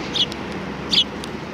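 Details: Sparrows recorded on 26 January 2019: two brief, high, sharp chirps about three quarters of a second apart over a steady background hiss.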